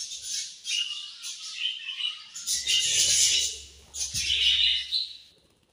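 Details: Budgies give high, rapid twittering chirps mixed with louder scratchy, buzzy warbled phrases, in bursts separated by short gaps.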